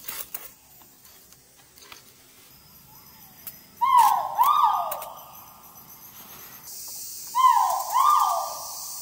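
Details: Great argus giving its mating call at Thung Chali on March 13, 2019: two loud, mellow calls, each a quick pair of falling hoots, about three seconds apart over a steady high insect hiss.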